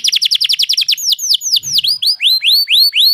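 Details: Canary singing a trill that opens with about a dozen quick falling notes in a fast roll, then slows into spaced, sweeping upslurred whistles, clean and loud with no other sounds.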